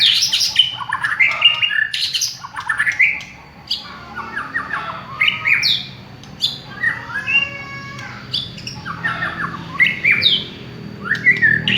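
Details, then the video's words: White-rumped shama of village stock, its song used as a lure: loud rapid sequence of varied whistles, squawks and rattling notes, phrases repeated with brief gaps, low hum in background. "Pancingan suara burung murai batu kampung"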